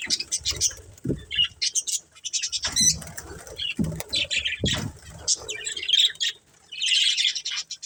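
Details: Colourful pet budgies chirping amid much activity; scattered high chirps and short warbled bursts broken by wing flaps and low bumps, ending in a dense chattering spell.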